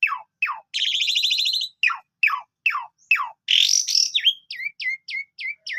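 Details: Asian pied starling singing varied phrases: sharp down-slurred whistles repeated, a long buzzy rattling note, a harsh wheezy burst, then a series of short hooked whistles about four per second.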